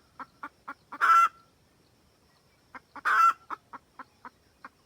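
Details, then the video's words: Red junglefowl hen calling for the rooster, a recording for trapping: two rounds of quick clucks, each building into a loud, raspy cackle, the second round trailing off in more clucks. "Gà mái rừng cực tác gọi trống"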